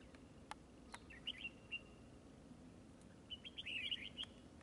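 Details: Red-whiskered bulbul fighting in display at a trap: quiet chattering whistles in two short clusters, the second a quick run of bright notes, with a few sharp clicks and background hiss.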